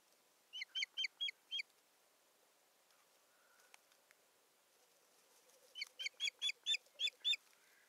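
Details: Osprey filmed by nest camera in Satakunta on 7 May 2019 while a stick is brought to the nest; a clear series of five piercing whistled yelps, a quiet gap, then a longer run of seven or eight.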